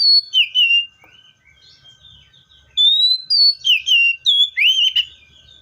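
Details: Seychelles magpie-robin song: two or three clear descending whistles, a quiet stretch of about two seconds, then six quickly delivered whistled notes with slurred upward and downward turns.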